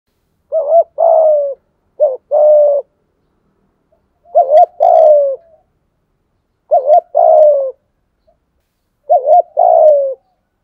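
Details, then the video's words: Spotted dove giving the thúc gù coo, a calling style: four phrases about two to three seconds apart, each a short wavering double note followed by a longer, mellow coo that slides gently downward. "tieng chim cu gáy thúc gù/ gáy gọi"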